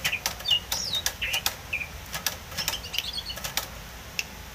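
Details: Oriental magpie-robin (Copsychus saularis), a wild bird, singing a quick jumble of short, high whistled notes and slurs, broken by sharp dry clicks and scratchy ticks about every half second; used as a lure sound.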